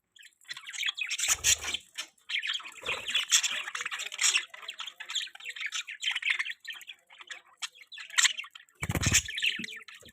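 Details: A flock of budgerigars in an outdoor aviary chatters continuously with squawks and warbles, punctuated by low thumps of movement.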